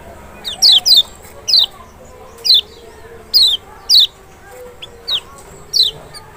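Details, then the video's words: Lemon-bellied white-eye of Lombok or Sumbawa, played to stir a reluctant caged bird to respond: a run of sharp, descending whistled notes, some in quick pairs, repeated about every second over a faint low hum. "panciangan sepesial Kecial malas bunyi nggak mungkin nggak respon"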